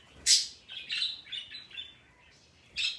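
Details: Pet parrot indoors voicing a new sound it keeps making today: one loud sharp squawk, then a string of short chirpy notes and a final bright squawk.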